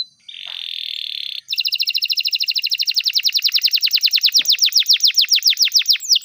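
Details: Canary song meant to teach young canaries: a buzzy sustained note followed by a long, fast, even trill of rapidly repeated notes that grows louder and slightly slower toward the end.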